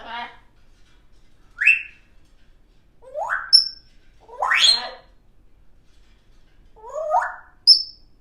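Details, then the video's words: A baby African grey parrot kept as a pet produces five separate rising, slurred whistles a second or so apart, some ending in a sharp high pip, in an imitation of R2-D2 style droid noises. "doesn’t just talk she makes all sorts of funny noises"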